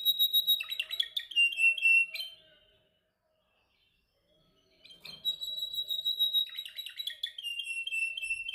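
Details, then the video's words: A domestic canary in song training, practising its song: two bursts of rapid, high trills and rolling notes, each slurring downward at the end, split by about two seconds of silence. "Your canary sings immediately when he listens to this canary singing"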